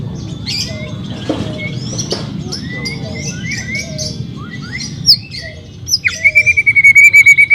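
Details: White-rumped shama song to stimulate a bird that is lazy to sing: faint scattered chips and whistles, then a loud, fast pulsed trill held on one pitch near the end.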